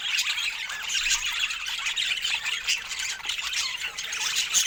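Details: Pet budgerigars eating fruit together give a lively run of shrill squawks and rapid warbling chirps, steady in volume with a louder burst at the close.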